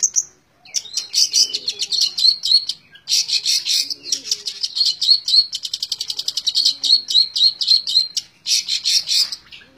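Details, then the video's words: Long-tailed shrike in rapid nonstop 'tembak ngebren' song: dense, high, scratchy notes fired in quick bursts of about four per second, briefly broken by gaps, after a short opening whistle. "Burung cendet tembak ngebren"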